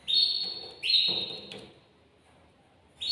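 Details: Short excerpt from a caged male canary's mating song aimed at a female: two bright level whistles, a quiet pause, then the start of another note.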